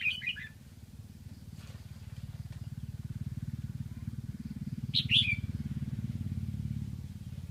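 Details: A captive red-whiskered bulbul from Lạng Sơn, kept as a decoy to lure wild birds, gives two short, bright, warbled phrases about five seconds apart over a steady low engine drone.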